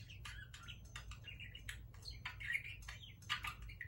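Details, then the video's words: A pet parakeet talking: rapid warbling chatter of short squeaky and whistled notes, rising and falling quickly, with a faint low hum indoors. "Parakeet talking"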